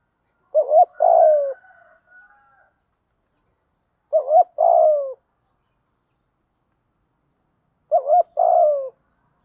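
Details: Spotted dove cooing as a lure for training decoy birds: three low phrases, each a quick double hoot then a longer downslurred note, spaced about every four seconds in an otherwise quiet recording.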